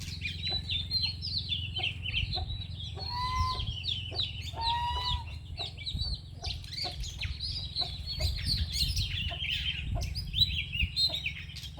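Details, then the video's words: Shama pouring out a long, rich song of rapid high whistles and twittering phrases, with a few lower clear tonal notes midway, all over a steady low droning hum. "Burung Murai"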